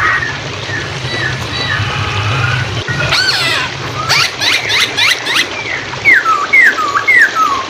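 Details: Hwamei song used as a training recording for songbirds, set over flowing water: rapid rising buzzy sweeps, then a run of loud whistled notes that rise and fall, over a steady water rush.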